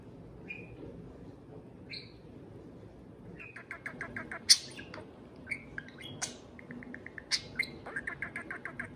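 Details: Domestic parakeet serenading a beer can. Quiet chirps open, then a steady patter of fast repeated clicking notes mixed with sharp squeaks and rising whistles.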